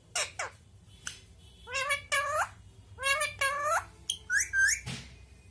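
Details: Talking parrot indoors in a small room: a string of short word-like squawks with speech-like harmonics, some whistled, in bursts under a second long with brief pauses between them.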